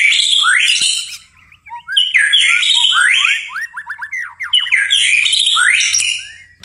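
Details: After dark a white-rumped shama repeats loud, rich phrases mixing buzzy notes and slurred whistles, with a quick series of rising chips between them.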